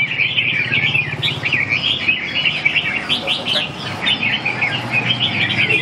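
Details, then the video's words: Red-whiskered bulbul sings a run of bright warbled phrases, quick rising and falling notes strung together almost without pause, over a low steady hum. "Kênh về chim Chào mào"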